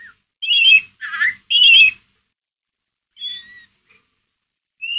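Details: White-rumped shama giving ngeriwik calls meant to stir another shama's emotion: three loud rasping buzzy bursts in quick row, then a pause and thin clean whistles, one sharply descending.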